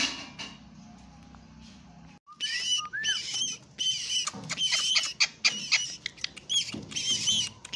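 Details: A pet talking rose-ringed parakeet gives harsh, raspy bursts and chattering talk-like phrases with a few short whistles, irregular and bright after a quiet start.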